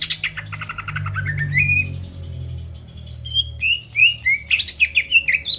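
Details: Greater green leafbird in lively song used to get rival birds singing. Soft rising stutter of notes leads into scattered bright whistles, then a dense burst of chirps and downslurs at the end.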